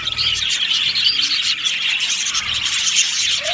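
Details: Aviary colony of happy budgies, bright overlapping chirps and quick whistled twitters from many birds, dense and unbroken.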